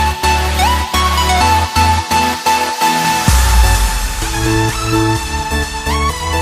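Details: Loud electronic dance music with a pounding beat and synth melody, with no animal sound audible.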